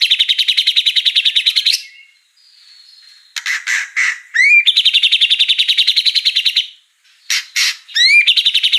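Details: Caged white-rumped shama singing full song with mimicked fill-in phrases: a fast, even trill repeated twice, broken by sharp chipping bursts and quick upward-sweeping whistles, with a brief quiet gap between phrases.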